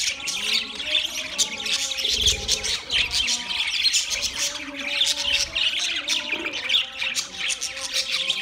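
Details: Group of budgerigars feeding together on soft food on 3 October 2023; rapid twittering and short harsh squeaks overlap continuously, with a soft low hum underneath.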